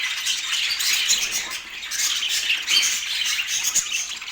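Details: Budgerigars in Portland giving dense, continuous high chirping and squawky chatter, many overlapping voices with short bursts and no pauses.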